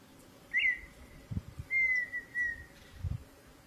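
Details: Wild partridge singing: a short upward whistle, then a long, clear, slightly falling whistled note, over steady low background noise with a few soft thumps.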